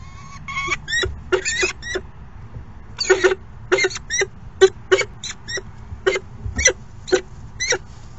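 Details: Peregrine falcon at the nest during a late morning feeding, 10 May 2018: short, harsh, harmonic calls in quick bursts, about fifteen in eight seconds, over a low rumbling background.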